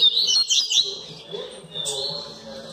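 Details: Double-collared seedeater (coleiro) from a breeder of the Bahiano line, during chick season: a quick burst of high, sweeping whistled and twittered notes in the first second, then fainter thin notes over a low background hum.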